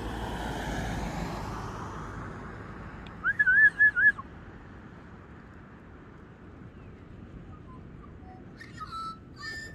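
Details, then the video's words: A magpie gives a quick run of four looping, wavering whistles, followed by a long quiet gap and later a few fainter warbled notes with light background hiss. "Singing Magpies."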